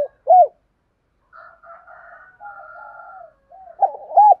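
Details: Spotted dove call used to lure wild doves: one loud arched coo at the start, a stretch of faint, hoarse, drawn-out sounds, then stuttered notes and another arched coo.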